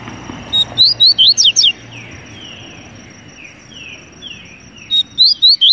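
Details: Song of a double-collared seedeater: a quick phrase of six sharp, high slurred notes, then softer gliding downward notes, and a second phrase starting near the end. A thin continuous high tone runs throughout.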